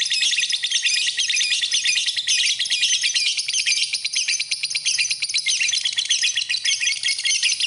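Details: Lovebird song for masteran tutoring, an intense nonstop torrent of high-pitched chirps and rapid rattling trills at an even loudness.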